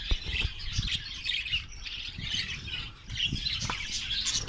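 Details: Colony of Australian parrots in Karachi giving busy overlapping chirps and squawks, high and scratchy, with a steady low rumble of background noise underneath.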